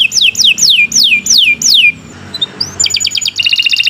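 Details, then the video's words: Canary song intended as a training recording for other birds: six loud descending whistled notes, a short quieter gap with faint soft notes, then a quick pulsing trill. "Kicau Burung Kenari 156 II LUAR BIASA GACOR PANJANG Cocok untuk Masteran"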